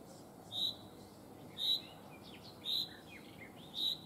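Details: Sharp, high single notes from a common chaffinch in the Netherlands, repeated at a regular one-second pace, with faint other twittering between them.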